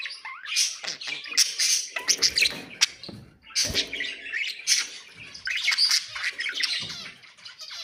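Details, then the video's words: Chattering song of pet budgerigars, meant to stimulate other birds: rapid squeaky chirps and harsh buzzy notes in loud bursts, broken by a short pause near the middle. "اجمل أصوات تغريد البادجي طيور الزينة 😍 أصوات تحفيز الطيور"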